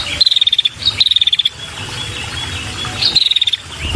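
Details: Female prinia with a red head calling for males: three crisp bursts of quick, even, high ticks, two close together and one after a pause of about a second and a half.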